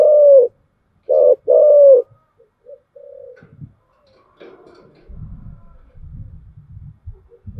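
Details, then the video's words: Spotted dove cooing in the thổ voice style used as a lure: three loud, low, slightly rising-then-falling coos in the first two seconds, followed by soft rustling and faint low thumps. "cu gáy giọng thổ chiêu gù"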